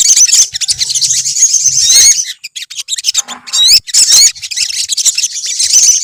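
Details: Olive-backed sunbird colony singing busily: a continuous wash of very high, sharp chirps and quick upswept whistles, with a short lull near the middle and faint low hum early on.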